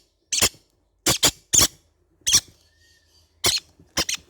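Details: Loud, scratchy, high squawks from baby green-cheeked conures in a small room, mostly coming in quick pairs, about eight notes over four seconds.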